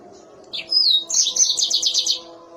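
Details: Mozambique canary singing a sharp, shrill phrase: a rising-then-falling whistled slur followed by a rapid run of about eight high buzzy notes; low steady hum in the background.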